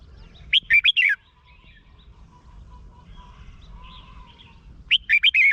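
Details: Red-whiskered bulbul song played to excite caged birds, recorded in Thailand: a loud, quick phrase of five or six warbled, bubbly notes near the start, repeated about four seconds later, with quiet low background rumble between.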